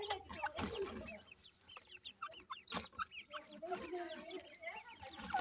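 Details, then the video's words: Grey francolin chicks, locally called dakhni teetar, calling while feeding: many short high peeping chirps scattered throughout, over a busy background of low clucking, rustling and broadband scraping noises. "grey francolin cute baby talk,dakhni teetar checks voice"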